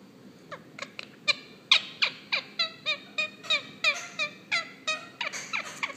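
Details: A pet female Indian ringneck (rose-ringed) parakeet sings while getting a head rub: a steady run of bright, ringing, downslurred notes about three a second over faint background music.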